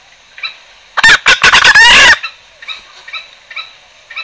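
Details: Green junglefowl calling as a trapping lure: a faint high note, then a loud harsh crowing burst about a second long, followed by soft high notes repeated every half second in the background.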